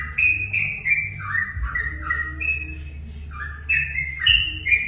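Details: Sooty-headed bulbul singing, played to provoke rival bulbuls: slurred, gurgling whistles dipping then climbing in a short bubbly phrase, a pause, then more notes, with a low hum beneath.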